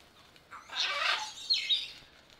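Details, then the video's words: Sulphur-crested cockatoo (Cacatua galerita) in Belgrade Zoo, Serbia, August 2022, filmed on a Panasonic AG-CX350 camera: one harsh, rasping, broadband screech about half a second long, then a shorter scratchy note, against a quiet background. "Papagaj žutoćubi kakadu│Sulphur crested Cockatoo│Cacatua galerita"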